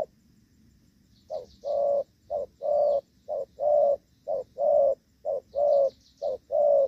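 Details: After a short quiet start, a decoy spotted dove in Vietnam's rainy-season trapping begins gù vấp cooing: low, hollow short-long note pairs repeated about once a second, small birds twittering faintly overhead.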